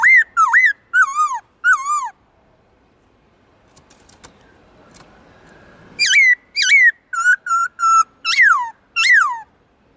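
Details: Kept black-throated laughingthrush switching between voices: a run of bright, looping whistles, then about three seconds of faint clicks and low rustling, then a fresh, rapid series of clear whistled notes and warbled slurs.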